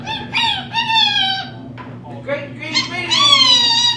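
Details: A female pet rainbow lorikeet talks in a high, nasal, speech-like voice: several quick mimicked phrases such as "Where are you going?" and "The Great Green Beanie!", with rising and falling inflections, over a faint low hum.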